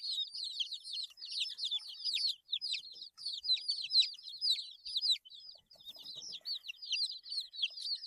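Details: Eight-day-old chicks chirping in an almost unbroken stream of piercing, downward-sliding peeps, many birds overlapping, with short pauses and faint soft taps.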